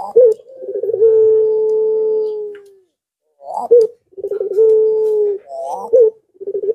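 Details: Barbary dove calling puter pelung style as a lure for other doves to reply: brief sharp introductory notes, then a long even coo that sinks slightly at its end, repeated twice with little pause.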